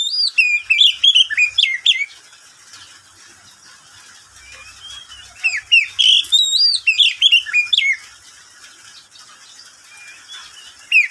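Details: Captive oriental magpie-robin in midday song: bursts of varied, rapidly changing whistled notes, rising and falling, in phrases lasting a few seconds separated by quiet pauses.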